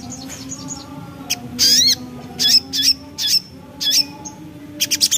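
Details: Javan black-capped babbler in full song in the 'nembak ngriwik' style: scattered bursts of high, sharp chirps and downslurred whistled notes, some quick trills, over a low steady hum.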